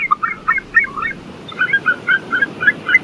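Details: White-tailed eagle (Haliaeetus albicilla), call.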